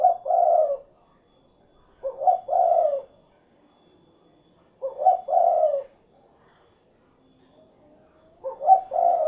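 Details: Spotted dove, locally derkuku, cooing cukurukuk kuk geruk in four clear, evenly spaced phrases about every two and a half to three seconds, each a short stutter into a rolling husky coo, against near silence.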